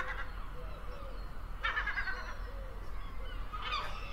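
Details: Gull giving a few loud, raspy squawks in two bursts, a short pause between them, with fainter calls behind and heavy low-pitched rumbling noise throughout.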